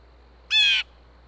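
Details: Single loud, grating jeer from a blue jay at a feeder in Minnesota, USA, signalling to other blue jays that food is present; brief and harsh, with quiet surroundings.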